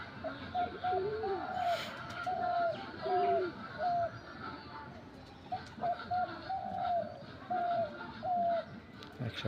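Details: Caged bird called a Dabal, placed up in a tree a week earlier, recorded on 1 January 2025. Clear, slightly falling whistled notes come in short bursts of two or three, repeated with brief pauses over a steady background hiss.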